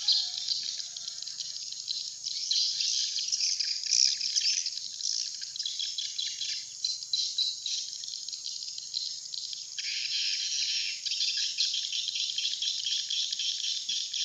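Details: Lure sound for attracting swiftlets to a nesting house: a long, continuous, rapid chatter of high chirps, densely layered and fairly even throughout, with a brief high whistle near the start.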